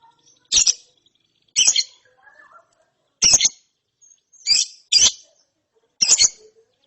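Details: Lovebird chick, chirping after therapy, repeats loud raspy high chirps about every second, some doubled, with faint softer notes between.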